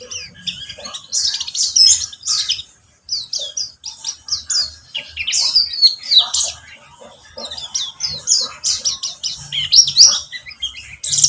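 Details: Lure song of a pleci buxtomi white-eye to encourage singing: high, rapid chirping and warbled phrases in waves, some quieter gaps, with a faint low hum throughout.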